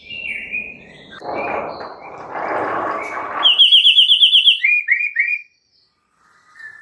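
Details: Lure recording of white-rumped shama song meant to make rival shamas sing. Steady whistled notes over a rumbling background, then a rapid trill of about ten bright repeated notes and short rising slurs.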